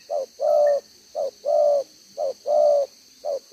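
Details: Spotted dove decoy, two-row bead collar, giving the 'đồng gáy 1 hậu' song on 11/6/2023: clipped short coo then long even coo, three phrases in quick regular succession.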